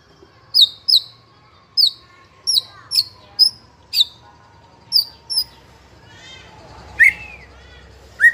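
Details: White-rumped shama singing in the 'trotol' style, a lure song used to provoke other shamas into singing. Sharp, high, down-slurred notes come singly or in quick pairs about every half second, then lower, fuller whistled notes near the end.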